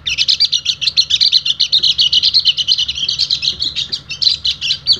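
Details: Oriental white-eye, a Balinese bird used to prompt other birds to sing, delivering a continuous rapid stream of high, buzzy chattering notes, several per second, unbroken for five seconds with a faint hum behind.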